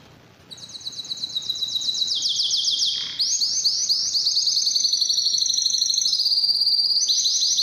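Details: Canary singing a training song meant to excite males and females for mating. The song starts after a quiet half second with fast, even trills of high notes. These shift to a lower pulsed roll near three seconds, then continue as steady rapid trills.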